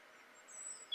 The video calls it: European Robin song - call. (male)